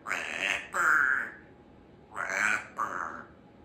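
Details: Female Congo African grey parrot, kept as a pet in a country home and very chatty, giving four raspy, hoarse speech-like utterances in two pairs with a short pause between them.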